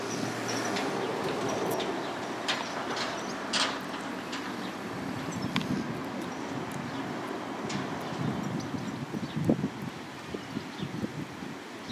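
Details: Broadband rumbling and clattering like a passing train or vehicle, with scattered clicks and no clear animal calls.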